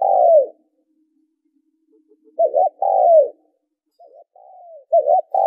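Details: Spotted dove cooing, played to stimulate decoy birds and train them: a long downward-slurring coo, then after a pause a quick double note and a further drawn-out coo. Softer trailing notes follow against silent background.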